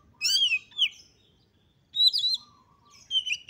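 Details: Female Oriental magpie-robin (kacer) calls used as a lure to provoke males into aggression. Sharp, bright whistled phrases with a sliding note come in short bursts separated by pauses of about a second.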